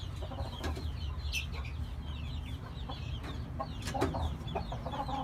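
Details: Oriental game bantam chickens clucking and chattering in short, scattered notes over a steady low rumble of background noise.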